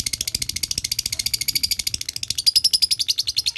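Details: Lovebird learning the ngekek trill, delivering a rapid rattling chatter of high, evenly pulsed notes throughout, growing slightly louder toward the end, after hearing other birds call.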